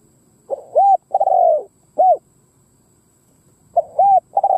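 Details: Decoy spotted dove cooing to draw in wild doves, giving soft low hooted notes, a longer slurred coo and a single rounded note, then starting the phrase again after a short silence.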